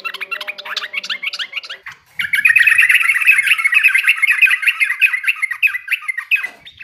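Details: Yellow-vented bulbul song played to stimulate other birds to sing: bubbly, chattering notes with rapid warbled phrases, loud and continuous in the second half, after a softer opening of mixed chirps.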